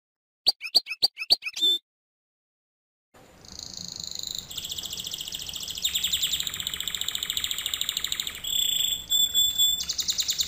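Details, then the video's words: Canary song meant as a lesson for other canaries to learn from. A few sharp separate notes open it, then a pause, then long, fast, high rolling trills that change type every second or two. "Canary Singing - lesson 36"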